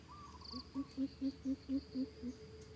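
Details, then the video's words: Coucal, 'thiêm ku' lure call: soft lead-in notes, then seven booming, hollow hoots evenly spaced about four per second, the last one dropping slightly, over a steady high insect hum. "Bìm bịp thiêm ku dụ bổi"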